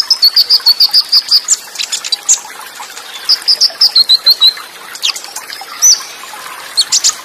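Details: Olive-backed sunbird (konin) on a training track of full fill-ins, cililin bursts and fast rolls, with water sound: a fast high trill, a pause, then another run of rapid notes dropping slightly, with scattered chirps between.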